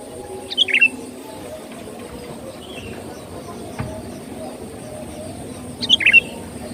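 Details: Sooty-headed bulbul lure recording, vigorously singing: two short bright phrases of quick whistled, slurred notes, one near the start and one near the end, separated by a long quiet stretch over steady rural background hum.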